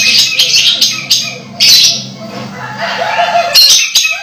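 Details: Orange-headed thrush near its moult still singing hard: rapid jumbled high twittering and sharp notes in continuous bursts, over a low steady background hum.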